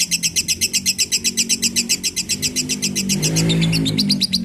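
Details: Lovebird song used to train other birds: rapid, very regular high chirping, about four notes a second, with a low droning noise rising toward the end.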